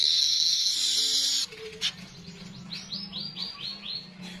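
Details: Streaked weaver: a loud, sizzling high buzz held for about a second and a half, then a quieter run of six quick, rising chip notes.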